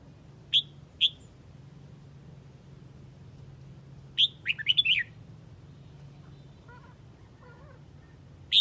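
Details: Red-whiskered bulbul from Huế calling the flock: two short, sharp chirps early on, a quick burst of warbled, tumbling notes near the middle, then one more sharp chirp at the end, over a steady low hum.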